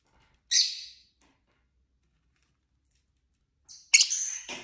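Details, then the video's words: Pet lovebirds kept indoors, several birds of different colour forms, heard while singing, chirping and fighting: a harsh, buzzy high squawk near the start, then after a long silence a louder burst of rasping, screechy chirps. "Lovebird Craziness (singing & chirping & fighting sounds)"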